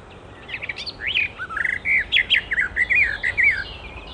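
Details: Icterine warbler song recorded in the wild, a short run of clear rising and falling whistled notes, evenly spaced and repeated quickly, after a few softer scratchy notes.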